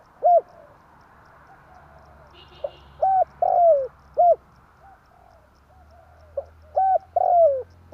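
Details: Spotted dove cooing, used as a lure for trapping: short hollow coos and a longer descending coo in uneven phrases, a brief faint chirp in between, steady low hum underneath.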